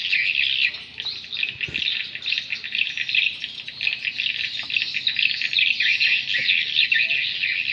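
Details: Many swiftlets calling together, sound meant to attract birds into new or unproductive swiftlet houses: a steady wall of high, rapid, buzzy chirps and twitters, overlapping without pause and pulsing gently in volume.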